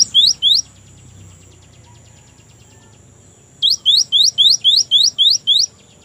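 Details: Gelatik batu, or Cinereous tit, gives a short pair of sharp rising chirps, falls silent, then delivers a steady series of eight quick high notes at a regular pace.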